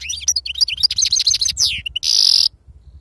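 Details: Authentic wild-type European goldfinch performing Sarfati-style song: dense, rapid twittering with fluttering high notes, a slurred descending phrase, then a loud, harsh, sustained buzz before the bird stops.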